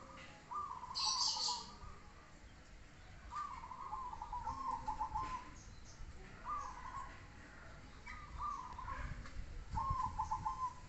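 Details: Zebra dove cooing: short bubbling, rapidly pulsed coo phrases repeated about every two to three seconds, rather faint over steady low background noise.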